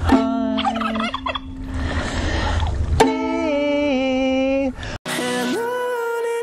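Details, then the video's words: Two turkeys at an animal sanctuary at sunset, walking in a circle, gobble back at a person singing "Somewhere Over the Rainbow" on ukulele: a quick rattling burst and drawn-out, wavering calls. "Turkeys Reaction to Playing Ukulele Walking in a Circle and Singing Back"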